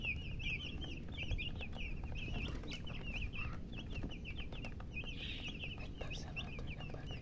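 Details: Chicks peeping together in a constant chorus of short, high, wavering chirps, with a heavy low hum and rustling underneath.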